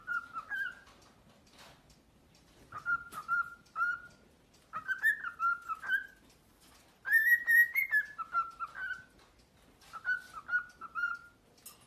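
A cockatiel whistles short, warbling phrases in bursts, each rising and falling around a clear mid pitch.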